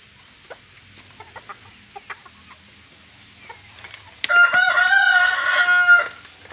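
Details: Bantam rooster, one of a kept pair, gives a short, high, strained crow after a few soft clucks.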